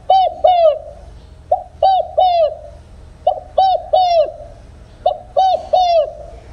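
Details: Spotted dove 'đồng không hậu' song, lacking the closing note, used for trap speakers. Four evenly spaced phrases, each a short coo, a second coo and a longer falling coo, roughly every one and a half seconds.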